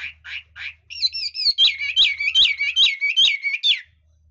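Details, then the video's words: Chinese hwamei: three short whistled notes open the song, then a string of looping warbled phrases repeated about twice per second before stopping. Soft low hum. "Chú mi cực hay, đảo giọng hót tốt hót rất đẳng cấp"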